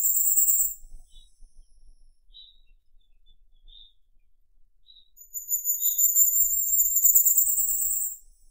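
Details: Firecrest singing: a short high trill at the start, then scattered faint soft chips, then a longer, very high, rapidly repeated, slightly ascending trill of about three seconds.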